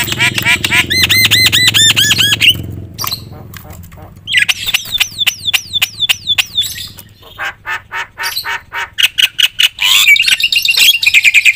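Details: Javan myna, a loud gacor bird used as a master to provoke other mynas, singing a varied medley: repeated looping whistled notes, then rising sweeping whistles, rapid clicks and harsh buzzy bursts.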